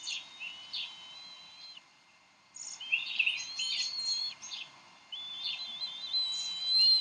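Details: At the Decorah nest on 30 May 2012, bald eagle parents quarrel over a fish, the female winning and feeding their eaglet. Strings of piercing, high whistled squeals with chattering notes, pausing briefly midway.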